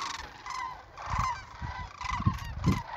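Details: Sandhill cranes during the annual spring migration in Nebraska, south of Wood River: rolling, trumpeting calls with stacked overtones, a few distinct calls standing out over a steady chorus, with low rumbling thumps underneath.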